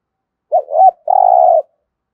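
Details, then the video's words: Spotted dove kept as a decoy to attract wild doves, cooing in the 'thúc gù' style: a clipped double note, a short gap, then a drawn-out buzzy, pulsing coo of even pitch, in a quiet setting. "cu gáy thúc gù giọng hay, chim cu mồi thục giọng hay hạp bổi"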